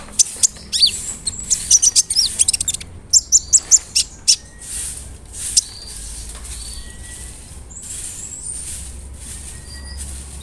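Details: Brown-throated sunbird singing hard as a provoking lure: a dense run of high, clipped chirps for about four seconds, then scattered faint notes over steady background hiss.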